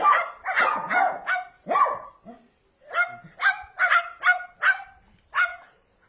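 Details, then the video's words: Tame cockatoo copying dog barks: about a dozen harsh, hoarse woofs, first a quick run of five, then after a pause a steadier series of seven. "Tamed barking cokatoo parrot. cute copying dog barks"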